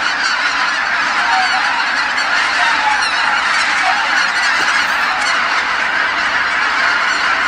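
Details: At sunset, geese stream back to Kabukuri-numa marsh from feeding grounds, tens of thousands calling at once; loud, dense, continuous honking envelops the scene.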